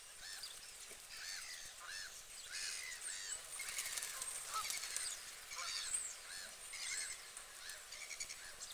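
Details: Canada geese feeding on UK waters give a run of arched, nasal honks, repeated irregularly about once a second, some overlapping from several birds, over a steady hiss of background noise.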